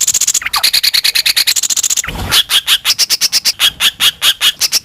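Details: Greater green leafbird song used as a lure to provoke other birds into singing: rapid runs of sharp, evenly spaced notes, switching between high and lower-pitched series, broken briefly by a short noisy burst midway.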